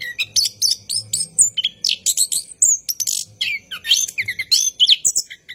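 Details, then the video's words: Orange-headed thrush singing at night, a long rolling song (ngerol) for training caged birds: rapid varied high whistles, trills and sharp chirps in quick bursts, with a faint low hum underneath. "PANCINGAN ANIS KEMBANG GACOR MALAM HARI | NGEROL PANJANG"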